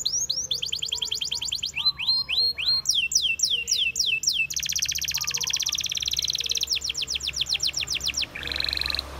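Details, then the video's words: Wild canaries in song, rolling through distinct tours: a rapid high trill, upslurred whistles, crisp descending sweeps repeated about four per second, a long rattling buzz, then a brief nasal note at the end. "Canaries Singing In The Wild"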